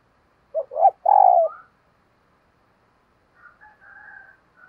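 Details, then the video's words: Decoy spotted dove calling wild birds in the morning: two short coos and a long buzzy coo, followed by fainter higher chirping notes from another bird. "Tiếng Chim Cu Mồi Thúc Và Gáy Gọi Bổi Vào Buổi Sáng"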